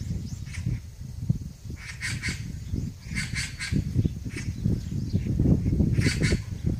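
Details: A gathering of Eurasian magpies in high tree branches at a rural farmhouse gives harsh, rasping chatters in short bursts a second or two apart, over a steady low rumble of wind or traffic.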